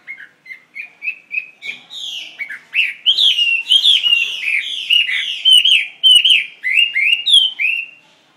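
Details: Short clipped whistles from a caged Chinese hwamei speed up into a loud, continuous torrent of swooping, rising and falling notes, about a hundred phrases a minute.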